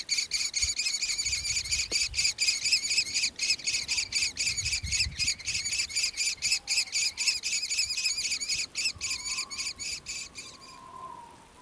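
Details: Six young common kestrels, raised alone by their father after their mother disappeared, pester him for food with rapid, harsh, rasping begging calls, about four a second, steady for ten seconds before fading; a faint whistle sounds near the end.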